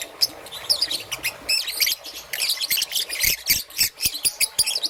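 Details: Morning chirping from a young green-and-yellow peach-faced lovebird: sharp squeaky notes and quick twittering runs, plus several soft low taps or knocks in the second half.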